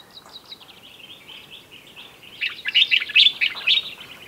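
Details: Common bulbuls in a pre-dawn chorus in a garden in the Sous Valley, Morocco, loud and raucous: a thin layer of overlapping bright chirps, then a louder burst of dense, jumbled twittering phrases from midway on, many birds singing at once.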